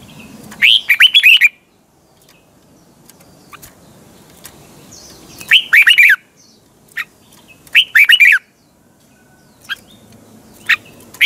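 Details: A caged Red-whiskered bulbul sings its morning song in the double, tightly twisting voice, recorded as training sound for other birds: three short, bright, warbled phrases a few seconds apart, with scattered clicks and brief single notes between.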